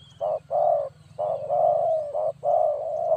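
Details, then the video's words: Lure recording of a spotted dove for trapping: mellow, throaty coos alternating short clipped notes with long sustained ones, roughly one per second, over a constant low droning hum. "Suara Burung Tekukur Bersih Cocok Untuk Pikat"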